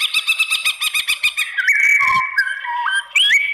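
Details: White-rumped shama provoking song aimed at rival shamas: a rapid run of rhythmic, pulsing notes about eight per second, then long steady whistles that dip and jump in pitch.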